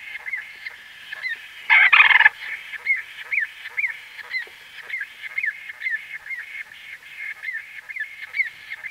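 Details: White-fronted bee-eater calls recorded close up: short arched nasal notes repeated rapidly, several per second and somewhat irregular, with a brief loud rustling burst near the two-second mark.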